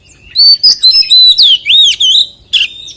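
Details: White-rumped shama delivering wild-style song, a loud rich series of whistled notes with sweeping rises and deep dips, about nine phrases, ending with a short buzzy burst.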